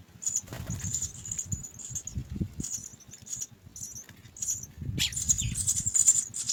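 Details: Nest of three young house sparrows begging to be fed: an almost continuous stream of piercing high cheeps, briefly thinning, then louder and denser toward the end, over faint low background noise.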